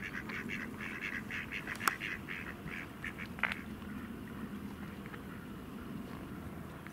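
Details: Swans from two families squabbling over territory on the Exeter Ship Canal: a rapid string of harsh, nasal calls for about three seconds, then quieter, with splashes and steady outdoor background noise.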